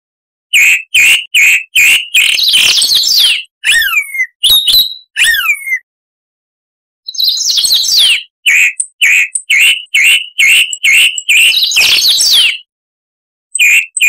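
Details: Chalk-browed mockingbird, Mimus saturninus, harsh-voiced song recorded to tutor cage birds: bursts of rough chattering notes mixed with descending whistled slurs, a pause, then more grating phrases and repeated chips.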